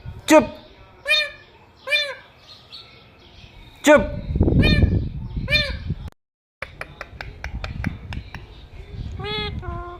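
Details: Pet talking parrot giving a run of short, arched, nasal notes in quick succession, with a person speaking Hindi, a burst of low rumbling noise mid-way, and faint clicks before a final drawn-out call.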